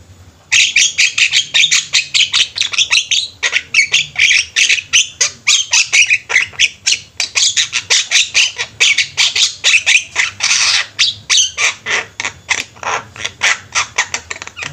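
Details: A flock of Javan mynas in full song together. Dense, continuous harsh squawking and rattling chatter, many rapid scratchy notes packed closely for over fourteen seconds, loud throughout, with only a brief pause near the start.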